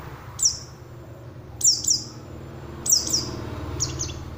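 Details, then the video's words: Oriental white-eye sound used as a lure to draw responses from other white-eyes: three bursts of thin, high, down-slurred chirps paired closely together, spaced about one and a quarter seconds apart, against a quiet background. "pancingan suara untuk pleci agar mau kluar isian"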